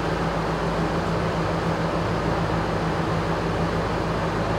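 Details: Continuous droning machinery noise, resembling a ventilation fan or distant vehicles, steady throughout without any animal calls.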